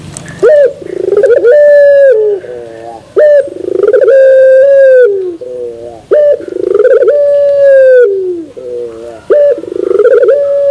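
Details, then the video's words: Puter pelung turtle dove delivering its long coo with a metallic-toned ending, a deep tonal opening note, wavering middle phrase and drawn-out steady final note, the whole pattern repeating roughly every three seconds. "Puter Pelung Terasan Bermetal"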